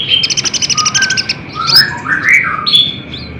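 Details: Sunbird lure song for caged birds, opening with a rapid buzzy trill of about twelve high notes, then slurred whistles sweeping up and down and a short high note.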